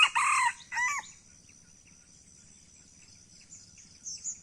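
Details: Aceh red junglefowl giving a short crow, a long syllable followed by a quick hooked note within the first second, then near silence with a steady high hiss and faint distant chirps.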